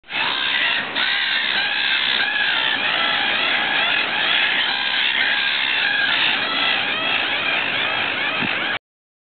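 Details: A flock of black-headed gulls at Akershus Fortress, Oslo, Norway, on 12 April 2011 calls nonstop, harsh rasping screams overlapping into a dense, raucous chorus with no clear pauses.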